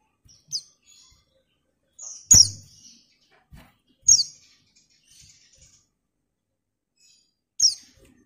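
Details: Female white-eye calling to a male, described as excited: four sharp, high, downward-slurred chirps spaced irregularly over eight seconds, with soft low knocks and faint twitters between them.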